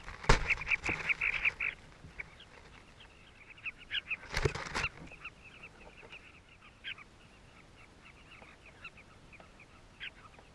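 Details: Southern carmine bee-eaters at their nesting colony in South Luangwa, caught up close by a hidden GoPro. Many birds overlap in a steady chatter of short, burry, rolling notes. Two loud bursts of rustling and knocking break in near the start and around four seconds.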